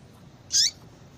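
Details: Female yellow-bellied seedeater calling to bring a male into breeding condition: one sharp, high chirp with a lower downward-sliding trace, lasting about a fifth of a second, over a quiet low hum.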